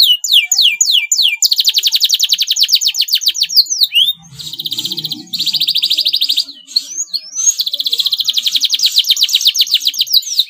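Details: Singing yellow male canary, lively and slightly in breeding condition: quick descending sweeps lead into long rattling high trills, broken by brief whistled slurs and a short patch of low background hum.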